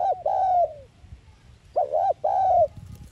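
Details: A spotted dove's decoy cooing to stimulate other doves: a long gliding coo, a pause, then an arched double note and a sustained falling coo.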